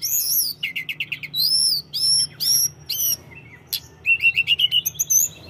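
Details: Sunda robin song with repeated sharp chirp series, drawn-out arching whistles and a closing run of quick bright notes.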